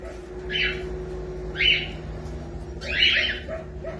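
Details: Pet cockatiel chick kept at home, giving three harsh, broad squawks spaced about a second apart over a steady low background hum.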